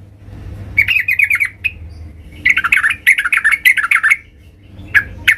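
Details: Yellow-vented bulbul in full, loud voice, seeking a rival to fight: bubbly, chattering phrases of rapid mid-pitched notes lasting about a second each, with brief pauses and a low hum behind.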